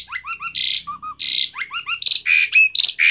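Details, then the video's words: Dense burst of Asian pied starling song: paired whistled notes alternate with loud harsh screeches and squeals, following each other without pause. "Pancingan Jalak Suren Gacor Variasi Isian Tembakan | Masteran Suara Burung Jalak Macet Bunyi"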